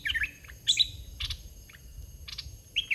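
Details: Decoy red-whiskered bulbul, caged, singing in the 'dok taeng' style to draw young wild birds: short liquid whistled phrases spaced apart, with dry clicking chirps between them.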